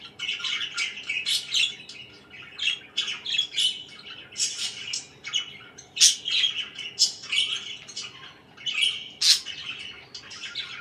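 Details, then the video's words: Budgies kept indoors chirping at morning time, a long stretch of lively, scratchy warbling with sharp high squawks and chattering notes, several birds overlapping. "CHIRPING IN THE MORNING"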